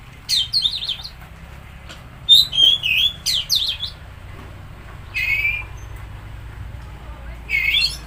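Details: Song of the Oriental magpie-robin (kacer), used to prompt a stressed or non-singing bird: separate bursts of loud, rich warbling and whistled slurs come every second or two, with quiet gaps and a faint low hum behind.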